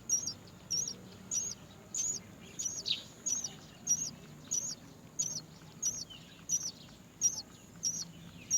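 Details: Many great myna chicks waiting to be fed by their mother, who cannot find food: high, thin, squeaky begging notes repeated roughly every half second in a steady, insistent series, with a faint low hum beneath.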